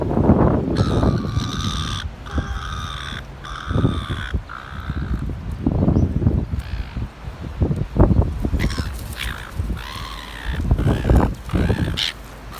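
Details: Seagull at North Shore bullying other gulls and keeping them from being fed: loud, harsh, ringing squawks in drawn-out bursts with several repeated calls, against low rumbling wind and handling noise.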